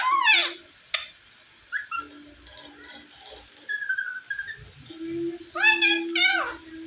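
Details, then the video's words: Pet Indian ringneck parrot indoors giving sharp, high, descending squawks, then short whistled notes, and finally two more loud falling squeaky calls, over a steady low tone in the background. "saying Kiwi 🦜 cute , # saying I love you and more"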